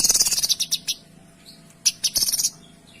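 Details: Kinoy in dense, clear tembakan song: a fast run of loud high notes slowing down, a short pause, then another quick rattling burst of repeated high notes.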